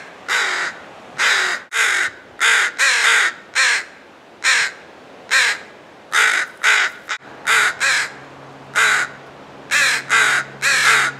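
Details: Insistent harsh cawing from crows defending a fledgling, a rapid series of about fifteen rasping calls in eleven seconds, with a low steady hum in the background.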